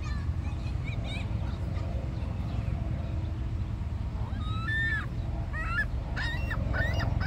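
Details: Seagull at Niagara, Canada: a few short, harmonic, rising-then-falling squealing calls in two bursts near the end, almost buried under a constant loud roar of rushing water.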